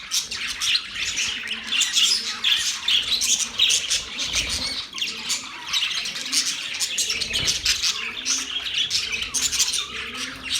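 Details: Budgies chirping together: a dense, noisy chatter of rasping warbles, squeaks and tweets from several birds, steady and unbroken, with soft lower murmuring beneath.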